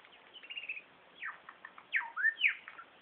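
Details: Male superb lyrebird hidden behind bushes, running through a mimicked repertoire said to include a laser gun, kookaburra, whipbird, whistlers and magpies. A quick chattering run opens, then steep descending sweeps and a short rising whistle follow in bursts.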